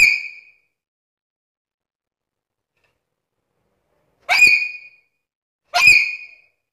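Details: Very vocal black-capped lory giving short, sharp, high squeaky calls, three in all, the last two close together about a second and a half apart.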